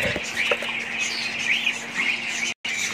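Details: Several budgerigars keep up a busy, high twittering warble, with overlapping squeaky notes and a brief drop to silence near the end.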